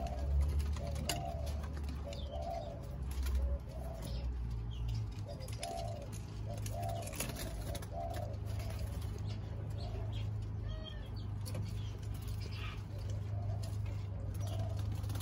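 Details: Spotted doves in Thailand, some of them young, recorded on 19 September 2023: soft, low hooting coos in short repeated phrases during the first eight seconds, then quieter, over a steady low rumble with occasional clicks.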